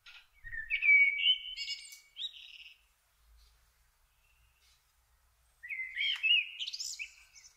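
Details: Common kestrel, a father preparing food for the family, recorded in June 2024; two harsh, drawn-out, rising calls with a scratchy edge, each lasting about two seconds and separated by a quiet gap.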